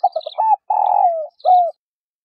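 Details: Spotted dove, a female, calling to prompt males to coo: a string of short notes, a prolonged rough coo easing downward, and one short arched note to finish.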